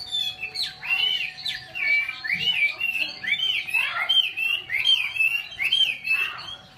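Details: Chinese hwamei in Vietnam singing a rich, fast run of slurred whistles and warbled phrases, rising and falling, with a steady faint background hum.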